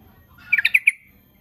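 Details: Sooty-headed bulbul, recorded to provoke rival birds into answering, utters a quick, liquid run of five short notes in under half a second, with faint low noise behind.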